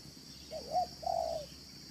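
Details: A spotted dove, recorded for luring doves, gives two soft, mellow coos, the first wavering and the second longer and smooth, over a faint steady high hiss.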